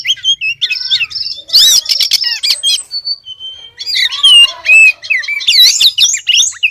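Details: Lure call of a female Oriental magpie-robin summoning the male: bursts of harsh, squawky, rasping notes mixed with looping whistled phrases, broken by short gaps and one steady pure whistle.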